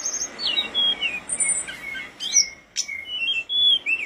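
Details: Tledekan gunung flowerpecker in full song for songbird tutoring: thin, high whistled slurs and sweeping notes, some dropping, others rising, with a few sharp clicking accents and brief pauses between phrases.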